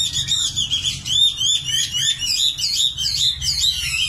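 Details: Common nightingale delivering a continuous stream of high, quick twittering and whistled notes in varied repeated phrases, steady and loud, over faint low hum.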